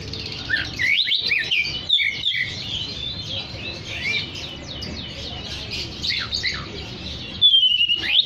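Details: Vigorous oriental magpie-robin song meant to call other magpie-robins: rapid, tumbling phrases of sweeping whistles, chirps and slurred notes packed closely together, ending in a high drawn-out whistle.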